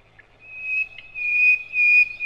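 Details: Sikatan londo, the nightingale, used as a training master for cage birds: one long pure high whistle that swells and fades in three surges, preceded by a short soft note.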